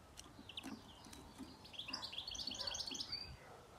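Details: Young greenfinch being caught in a trap, giving a fast run of high, chirpy twittering notes that build into a dense burst midway, over soft low rustling and scattered clicks.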